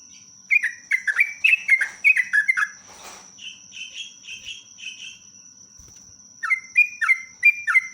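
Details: Yellow-vented bulbul in long, rapid, lively song, used as a lure recording: bright slurred whistles falling in quick series, several per second, a mid-pitched warbling run, then more descending whistles, over a constant high thin whine.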